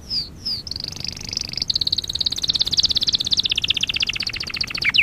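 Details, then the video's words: Canary song for training birds: two soft falling whistles, then a sustained buzzy high trill that turns into a long rapid pulsed rattle, ending with a downward sweep. "Kanarya sesi kanarya eğitim/1 canary sing"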